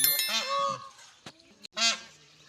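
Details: Indian peafowl peahen searching for a peacock, giving two brief, harsh honking calls about a second and a half apart, with faint clicks and handling noise between them.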